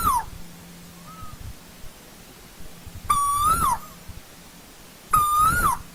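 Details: Asian koel in old-growth forest repeating a strong whistled note every two seconds. Each note is level at first, then rises and drops away. A soft, short whistle sounds early on.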